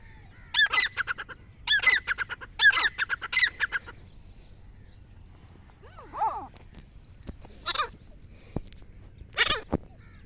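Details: Black francolin, described as a female and as a hunting call, giving three harsh, grating bursts of rapid clicking pulses about a second apart. Softer curved, wavering notes follow over quiet rural background noise.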